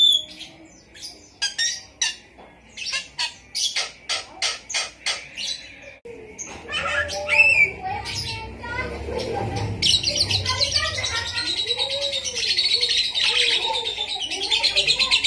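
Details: Javan myna (jalak kebo) mimicking a lovebird's rapid chattering: sharp, shrill chirps about three per second, then squeaky whistled phrases over a steady high hiss; a caged songbird in full song, intended as training audio for other mynas.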